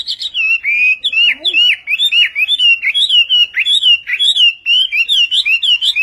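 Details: Chinese hwamei, labelled western hwamei singing in Vietnamese style: a continuous run of loud, clear whistled notes, slurred up and down in quick succession, about two per second, with no other sounds.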